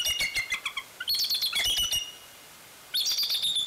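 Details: Bald eagle calling at its Fraser Point nest on 16 February 2019: a quick run of thin, high chirps, then a louder squealing burst, a pause of about a second, and another piping series.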